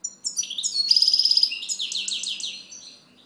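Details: European goldfinch song: a fast tumbling phrase of high twittering notes, a buzzy trill of rapid repeated notes in the middle, then quick descending chirps, all bright and high-pitched.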